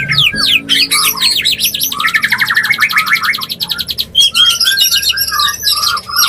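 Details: White-rumped shama mating call used to bring a bird into breeding condition: dense, varied bursts of whistles and rapid repeated chattering notes, with a fast trilled series in the middle and sweeping phrases near the end.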